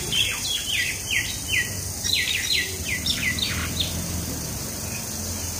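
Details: Fighting common mynas near Keraniganj, Dhaka, Bangladesh, giving a rapid series of short descending scratchy notes about once per second, over steady insect hum.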